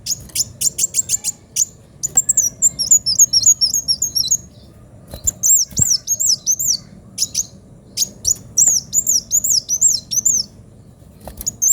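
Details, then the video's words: Chatty 'gacor' kolibri wulung sunbird, sharp 'pedes' style, delivers very high, thin chips and rapid arched, slurred whistled notes in quick bursts, with brief pauses between phrases and a faint background hum. "Kolibri wulung gacor suara pedes"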